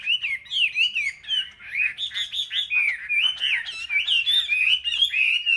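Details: Selected caged Chinese hwamei singing in competition at a market rack: steady, loud flow of mellow whistled slurs and quick warbling notes, rising and dipping in short repeated pulses.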